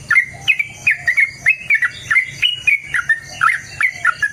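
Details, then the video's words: Rapid, chattering yellow-vented bulbul song in a long fighting style, meant to provoke caged birds into answering: a steady stream of short, bubbly, slurred whistled phrases, each rising then dipping, about four notes a second with no pauses. "TRUCUKAN GACOR TARUNG ROPEL PANJANG Pancingan trucukan Agar Bunyi Jadikan Burung Trucuk Gacor Nyaut"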